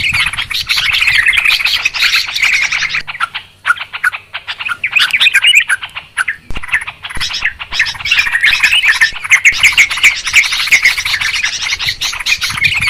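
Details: Noisy, excited chorus of Yellow-vented Bulbuls used as a lure for trapping birds: dense overlapping chattering and bubbly notes, with a brief thinner patch mid-way before the busy chatter swells again.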